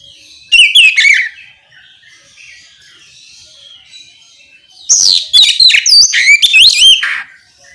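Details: Ngeplong-style song of an oriental magpie-robin, played to draw replies from other magpie-robins: a short burst of bright, high warbling, a lull of soft background twitters, then a sustained series of loud, rapid, up-and-down whistled phrases.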